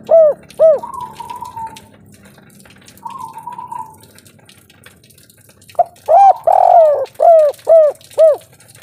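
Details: Local spotted dove singing in the kuk 3 style: deep hooked coos repeated in quick runs, broken by two longer wavering whistled notes, then a fast series of five or six coos.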